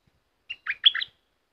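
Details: Red-whiskered bulbul kept as a cage bird giving one brief, bright phrase: a thin opening note followed by three rich, tumbling whistles, all within about half a second, with silence around it.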